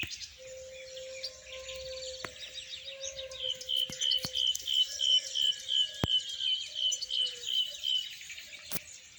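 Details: European goldfinch chicks in the wild: a fast, regular series of short high chirps, about three per second, rising in loudness mid-clip, with other scattered chirps and a steady low hum underneath.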